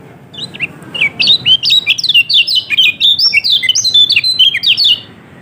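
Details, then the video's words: Kecial kuning, a yellow-throated white-eye, sings in a lure recording meant to prompt a quiet bird to start singing. A dense, fast run of high chirping and squeaky twittering notes lasts about four seconds over a faint low hum. "Pancingan Kecial Kuning Males Bunyi Agar Cepat Buka Paruh"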